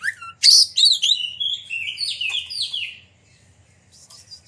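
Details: Persistent Oriental magpie-robin song meant to goad rival magpie-robins into singing and tail display: a rising whistle opens a loud, dense tumble of sweeping, falling warbled phrases, fading out after about three seconds into faint chirps.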